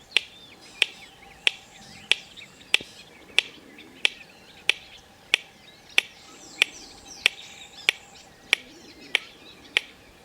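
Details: Red-crested korhaan (Lophotis ruficrista), a ground-dwelling bird of Kruger National Park grassland and savannah, gives its repetitive, monotonous call: a steady series of sharp, dry clicks, about one every two-thirds of a second, with other birds chattering softly behind.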